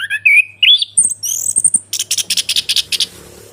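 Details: Orange-headed thrush singing for a lure recording meant to prompt a quiet caged bird to answer: rising whistled phrases and a high sweeping note, followed by a fast run of about a dozen harsh repeated chips; low steady hum behind.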